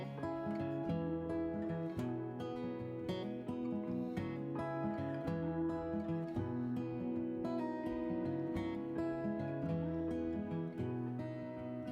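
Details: Gentle plucked acoustic guitar music plays throughout, with no animal sounds to be heard.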